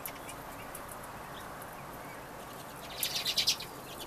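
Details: Redpoll visiting in winter, a bold, lively small bird, gives a quick burst of about six dry, buzzy chattering notes near the end, after a stretch of steady background hiss and scattered faint clicks.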